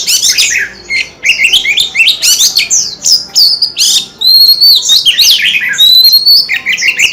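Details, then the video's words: Song of a white-rumped shama that fans its tail as it sings. Rapid, choppy chattering notes give way to long, pure whistles that glide downward, then more quick varied phrases. "Tiếng chim chòe than hót - Chòe than hót xèo đuôi cực hay"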